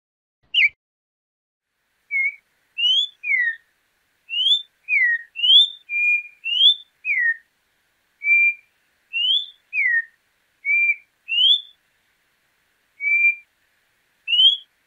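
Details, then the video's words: Regional song style of the corrupião, or Campo troupial: scattered single whistled notes, rising, falling and level, spaced irregularly over fifteen seconds in a clean, quiet recording. "Cantos De "Corrupião" MAIS BONITOS e MELHORES"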